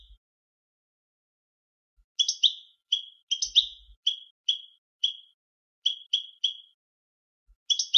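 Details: European goldfinch delivers a series of short, bright, slightly buzzy notes, each falling off quickly, repeated roughly twice a second with a few doubled notes among them. Quiet gaps separate them, with no other sounds.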